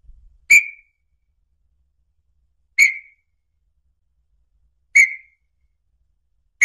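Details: Red-legged tinamou song played to attract the bird: single clear whistled notes near the same pitch, each short and slightly falling, spaced about two seconds apart, with no other sounds.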